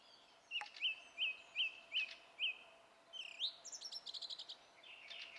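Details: Song thrush, 27 April 2016, repeats a clear, upslurred whistle five times at a brisk pace, then switches to a rapid, chattering phrase of repeated high notes.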